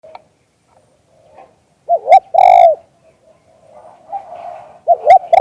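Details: Caged spotted dove recorded live: soft, low, mellow coos, a rolling double note followed by a longer held coo, repeated after a quiet pause, in otherwise still surroundings.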